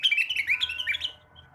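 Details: Morning song of a blue-winged leafbird used to stimulate other birds, a quick tumbling string of high, sweet warbled notes lasting about a second before fading out.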